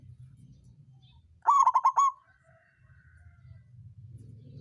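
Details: Zebra dove, local songgo ratu type, singing as a lure to stir rivals and get lazy birds singing. A brief burst of about five rapid, rolling coo notes, steady and mellow, then quiet with faint low rumble.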